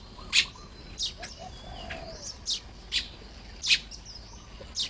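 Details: Morning at a Baya weaver nesting site in Lop Buri, Thailand, 1 May 2026: loud, high, dry chirps at irregular intervals, with faint thin whistles and soft lower notes between them.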